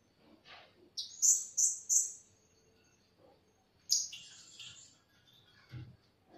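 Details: Lure call of the blue-crowned hanging parrot used to trap birds: a rapid triplet of piercing high shrill notes, a pause, then a second harsher high burst with faint low thumps.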